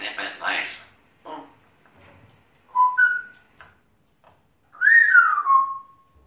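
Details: Male pet African grey parrot chattering to himself: soft mumbled sounds, then a short two-note whistle and a longer clear whistle that rises and slides down, with quiet gaps between.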